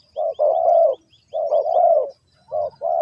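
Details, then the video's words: Spotted dove calling, linked to bird trapping: low mellow coos, a short note followed by a longer drawn-out one, the phrase repeated with pauses. Faint high chirps from other small birds. "The Sound Of A Spotted Dove"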